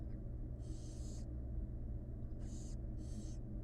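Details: Begging from wild barn owl chicks being fed by their mother in a nest box: one long harsh hiss, a pause, then two shorter hisses close together, over low steady background rumble.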